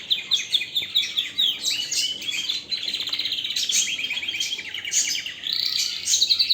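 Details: Canary song opens with rapid, evenly pulsed high trills, then flows into dense rolling warbles and sharp upward chirps, loud and continuous throughout.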